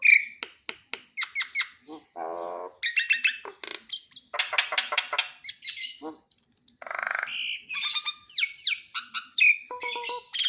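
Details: Nias hill myna used to make silent mynas sing, delivering a long varied string of clicks, harsh squawks, nasal buzzes and sharp rising and falling whistles with few pauses.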